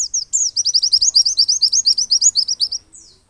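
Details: A white-eye in Pacitan, singing in the "ngalas and nembak" style and used as a lure to get other white-eyes to sing, gives a fast, high, sweet twittering run of about twenty chirped notes, steady and bright, fading after about three seconds.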